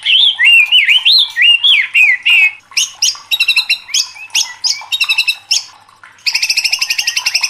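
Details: Agitated, fired-up white-rumped shama in full, loud song: rolling wavy whistled phrases, then quick clusters of sharp chipping notes, and a closing fast, even rattle of ringing notes.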